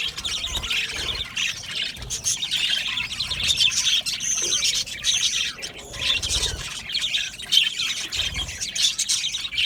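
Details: Budgies in an aviary colony keep up a long, unbroken chorus of squeaky chirps, chattering warbles and occasional harsher squawks, rising and falling in loudness.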